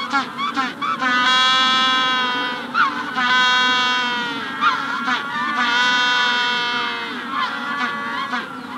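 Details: At a Magellanic penguin colony during the hatching stage, a bird brays loudly and at length, each drawn-out donkey-like note following quick short gasps. The pattern repeats three times over a background of other penguins, with a rufous-collared sparrow in the background.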